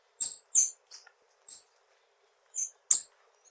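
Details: Tanager with a series of short, harsh, high buzzy chips spaced irregularly, about six in total.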